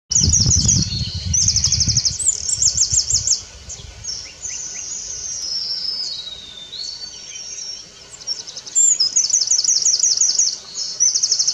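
A Eurasian wren pours out a loud, high, rapid song of shrill trills and rattling bursts, repeated almost without pause; a low rumble is heard at the start.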